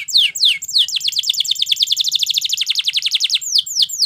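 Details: Belgian canary singing for training other canaries: a few falling whistles lead into a very rapid rolling trill of short descending notes, ending with more slow sweeping whistles.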